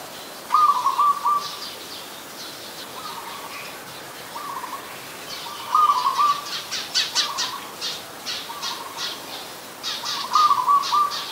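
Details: Adult zebra dove in Ubon Ratchathani, Thailand, recorded 28 December 2020, giving short rolling, trilled coos near mid pitch, repeated roughly every two to three seconds, four phrases in all, over steady high chirping from other small birds.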